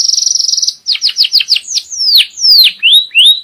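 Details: Canary from a Belgian canary breeding setup, song for teaching youngsters and bringing the female into breeding condition: brief rapid trill followed by loud separate whistled notes sweeping steeply downward, then two short rising whistles.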